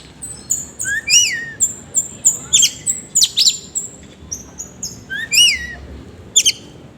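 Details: Rough, energetic oriental magpie-robin song made of crisp high whistles and repeated downslurred notes, arriving in rapid evenly spaced bursts.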